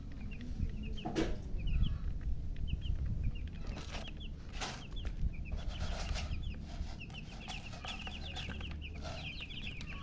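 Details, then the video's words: Colour chicks calling out of thirst for drinking water: a steady stream of high, short down-slurred peeps from several chicks, with sharp clicks and tapping sounds and a low hum. "Murgi chicks Chirping sounds with thirst for drink water"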